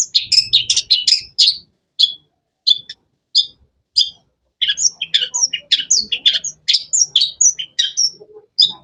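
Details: Energetic cendet (long-tailed shrike) chatter: dense clusters of sharp high chirps at first, scattered single notes, then a fast, continuous stream of varied clipped calls.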